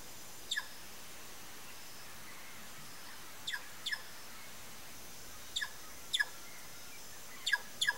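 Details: Sayaca tanager giving short, sharp high chip notes, often paired, spaced a second or more apart over a quiet, hissy background.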